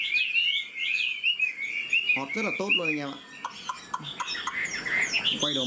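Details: Old wild-caught Chinese hwamei, kept caged, giving wavy whistled song phrases, partly overlapped by a man talking in the middle, with the bird resuming sharp notes afterward.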